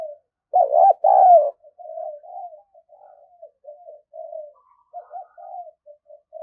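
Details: Energetic decoy spotted dove used for luring. Two loud, throaty, rolling coos open the clip, followed by a string of softer, low, hollow cooing notes with short pauses between them.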